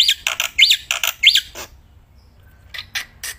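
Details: Black-winged myna singing outdoors, a loud, nonstop singer: bursts of harsh, buzzy notes and rising squawks in quick succession for about 1.5 seconds, then near silence before a few more rasping notes.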